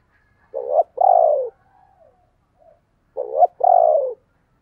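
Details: Spotted dove giving the urging 'thúc' and calling coos: two matched phrases, each a short rising coo followed by a longer, slightly falling coo, about two and a half seconds apart, in near silence.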